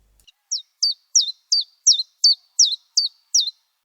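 Common Chiffchaff singing a steady series of nine high, dropping chip notes, about two or three a second, alternating slightly in pitch; nothing else heard.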